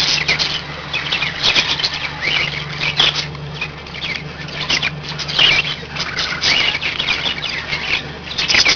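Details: Five pet budgies give waves of buzzy, grating chatter and squeaky chirps, swelling and easing every couple of seconds, over a steady low hum.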